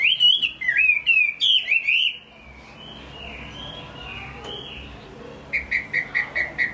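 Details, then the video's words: Singing caged hwamei from Hai Phong, Vietnam: loud warbled phrases for two seconds, a soft drawn-out wavering whistle, then six crisp notes repeated evenly in a row. "Họa mi hót tốt"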